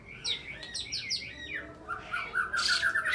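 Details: Fighting white-rumped shama singing in the 'nyujud' style against a rival, delivering fast downslurred whistles, then a run of bright repeated notes and harsh bursts, with sharp small-bird 'tembakan' phrases in its song.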